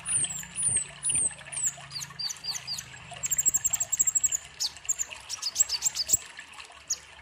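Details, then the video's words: Sunbird, called kolibri ninja, singing actively as a lure and tutor recording for young birds: very high thin chirps and sharp rising-falling notes, then a fast run of repeated ticking notes, over trickling water. "Pancingan kolibri ninja gacor cocok untuk masteran konin bahan"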